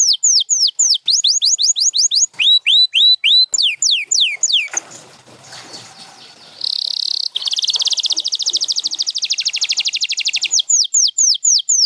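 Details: Canary singing repeated falling whistled notes in groups, interrupted by a brief burst of broadband noise, then resuming with a buzzy note, a long fast trill, and more falling whistles.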